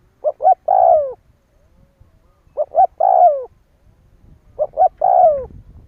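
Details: Spotted dove giving a lure call meant to provoke other doves into calling: three phrases, each a short soft note, two quick coos and a long drawn, falling croo, spaced about two seconds apart with faint low rumble between.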